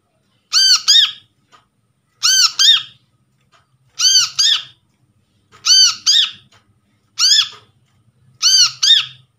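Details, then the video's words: Brown-throated Sunbird lure sound, from trapped birds, played to coax silent birds into calling. Paired harsh, ringing arched notes repeat steadily about every 1.6 seconds, six bursts in all, against near silence. "PANCINGAN BURUNG KOLIBRI KELAPA"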